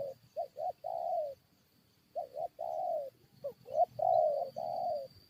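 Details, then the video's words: Spotted doves trading calls in a luring fight with wild birds: two or three short coos then a long hollow croo, the phrase repeated after a silent gap. "PIKAT FIGHT DENGAN BURUNG HUTAN"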